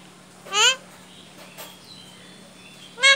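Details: A pet talking Indian ringneck parakeet, prompted by its owner to speak, gives two short, nasal, raspy word-like utterances about two and a half seconds apart, with faint chirps and a low hum between.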